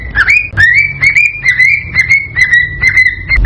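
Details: Cockatiel whistling to stimulate breeding: bright, clear whistled notes that slide upward and then hold steady, repeated quickly about every half second in a lively string, with faint low background hum.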